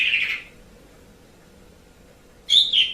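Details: Asian pied starling, used as tutor audio for training pet songbirds: two short harsh chattering bursts separated by over two seconds of quiet, with a faint steady hum behind.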